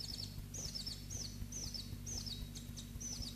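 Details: Two kept Black-throated Bushtits sing short, very high descending trills of thin twittering notes, repeated about every half second over a steady low hum of background noise.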